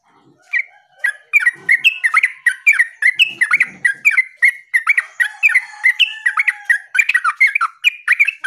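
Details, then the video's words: Yellow-vented bulbul singing vigorously: a long, bubbly, chattering phrase of quick liquid notes that hop up and down in pitch and barely pause over eight seconds. "SUARA TERUCUKAN GACOR MENANGIS LAWAN"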